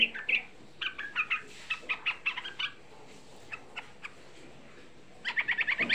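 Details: Young sooty-headed bulbul song played as a lure to stir other bulbuls: an opening flurry of rapid chirps, a lull of isolated single notes, then a renewed fast burst of bright chatter.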